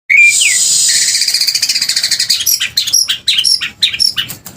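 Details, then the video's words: White-rumped shama of the F2 line singing in the 'muntah beling' style: a loud opening whistle, then a fast, harsh, rattling string of repeated notes, followed by varied sharp chipping and whistled notes; faint hiss behind. "Murai batu seri f2 muntah beling"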